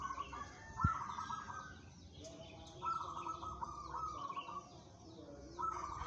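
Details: Local zebra dove, described as steady-nerved and suited to song contests, giving pulsed, trilling coo phrases of about a second, repeated roughly every two and a half seconds, over a noisy background with faint chirps from other birds.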